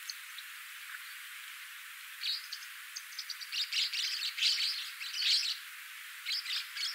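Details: Black-cheeked lovebird, a species of deciduous woodland in south-west Zambia: bursts of high, shrill chirps and twittering chatter, growing denser from the middle of the stretch, with a few short sharp notes between bursts.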